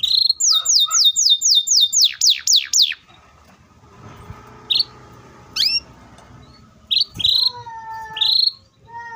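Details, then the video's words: Canary delivering a rapid roll meant to set other canaries singing: a quick string of falling whistled notes for three seconds, then scattered short rising chirps and flat whistles over faint background hum. "KENARI GACOR ROLL PANJANG SPEED RAPAT❗CUKUP 3 DETIK KENARI PAUD DAN MACET TOTOL SEKETIKA NYAUT!"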